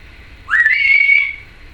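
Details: Pet female Timneh African grey parrot indoors giving one clear whistle that sweeps upward and then holds steady for nearly a second, with faint clicks laid over it.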